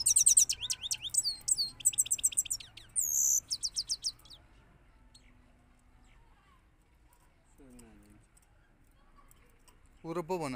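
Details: European goldfinch rolling song: about four seconds of quick, high twittering with trilled bursts and buzzy notes, followed by near silence and a brief lower sound at the end.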